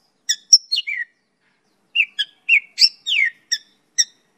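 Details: Mongolian lark (pakling) with a quiet, spaced series of short chirps, descending slurs and whistled notes, a pause near the middle, otherwise silent background.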